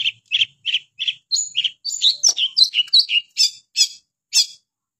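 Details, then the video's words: Long-tailed shrike (pentet) singing gacor style: separate harsh, chattering notes at a steady pace, rising into a busier twittering middle, then spaced shrill calls, against a quiet background. "KICAUAN BURUNG PENTET gacor"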